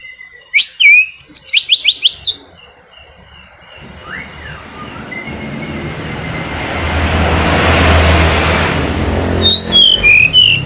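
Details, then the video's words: Male caged flycatcher used as a lure for silent birds: a rapid burst of loud, high, sharp notes repeated like a stuttering trill, then soft whistles under rising vehicle rumble, ending with bright high chirps. "Tledekan Gunung Gacor Ampuh Buat Pancingan Tledekan Macet"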